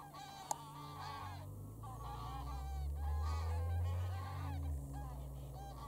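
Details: Large goose flock honking while taking off and landing at Wicken Fen, Burwell Fen, 23 September 2016, early evening; dense overlapping honks with strong low rumble of wind or wingbeats.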